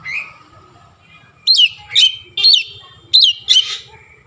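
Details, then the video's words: Oriental magpie-robin singing with copied Javan myna sounds: five loud, harsh whistled bursts in quick succession after a quiet start, over faint low background noise. "KACER GACOR BESET SUARA JALAK KEBO"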